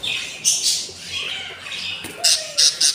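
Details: Newly hatched budgerigar chicks, day four, hungry in the nest: harsh, high buzzy squawks come in short bursts, three quick loud rasps clustered at the end after a brief pause.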